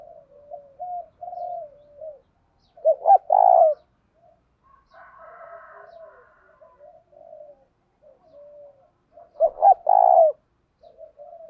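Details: Spotted dove used as a lure to provoke cooing: two loud harsh coo phrases with a buzzy centre, between them long stretches of soft, wavering, lower cooing notes and a faint hoarse overlay.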